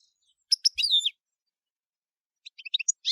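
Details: European goldfinch in camper song. Two sharp chips lead into a warbled, descending twitter. A quiet pause follows, then a quick cluster of tinkling notes.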